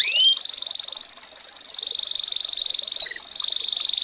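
An American Singer canary sings a continuous high, rolling trill of rapid, even pulses that shifts pitch slightly. It ends in a brief bright chirp, with no other sounds.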